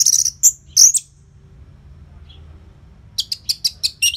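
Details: Orange-headed thrush song used to prompt caged birds to sing, from northern Bali, Singaraja: bursts of loud high sweet whistled phrases, a long pause, then a rapid run of sharp repeated notes.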